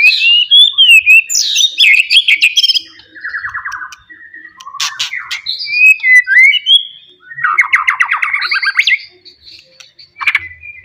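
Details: Loud song of a wild forest white-rumped shama, sung to provoke rivals: varied high whistles, fast buzzy trills and chattering rattles in quick succession, with sharp clicks.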